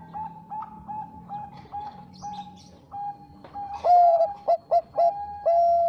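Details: Bangkok zebra dove, a lure recording intended to make rival birds respond. Gentle repeated coos from several birds build into a loud, ringing phrase of short, bright notes with a long final tone.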